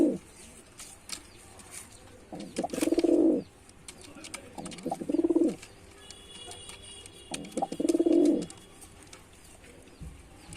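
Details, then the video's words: Three widely spaced, deep vibrating coos from a performing male white pigeon, separated by quiet pauses with light clicks and a faint steady high tone. "Pigeon Sound Effect (Ultra High Quality) || Male Pigeon Super Performance || white pigeon"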